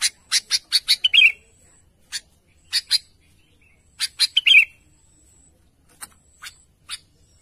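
A Sooty-headed bulbul calls to its companions with sharp, bright chirps in quick bursts of three to five notes, then brief pauses, against a quiet background.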